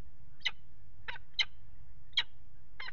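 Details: Peregrine falcon calls from a water tower nest box at Axel, 5 February 2018, while the pair mates on the ledge: five rough, grating notes in three seconds, unevenly spaced, with a low hum behind.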